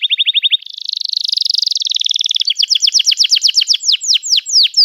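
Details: Long 'cuit cuit' canary song meant to train young birds: a brief clipped trill, a dense buzzy roll, then slower notes sweeping downward in regular succession.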